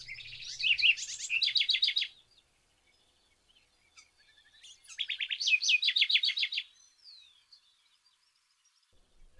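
A house wren gives two bubbly, rapid phrases of high, jumbled trills and chatters, each about two seconds long, separated by a brief pause, in an otherwise quiet setting.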